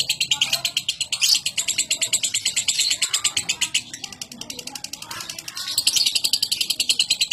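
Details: Lovebird giving fast chattering ngekek song mixed with ticking ngetik variations: a long, continuous run of rapid, evenly pulsed high, harsh notes for over seven seconds, with a faint lower background murmur.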